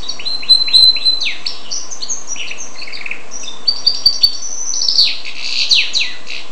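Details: Goldfinch and canary hybrid singing a fast, varied twittering song of high chirps, short repeated trills and buzzy sweeping notes, running continuously through the whole stretch with no pauses.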